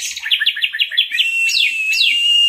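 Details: Teler-style masteran song of an Orange-headed thrush: a quick series of about seven short downslurred notes, then several sharp falling sweeps ending on a steady high whistle.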